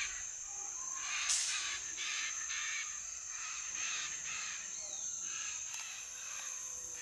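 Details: Evening roost gathering of chestnut-fronted macaws around Rio Branco in the southwestern Brazilian Amazon: rasping, noisy squawks repeated in quick bursts from several birds, over a continuous shrill insect drone.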